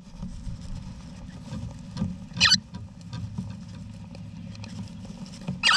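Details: Wild eastern rosella family in a backyard nest box, Australia, November 2018: two short, raspy, scratchy bursts about three seconds apart above quiet scratching and a constant low hum.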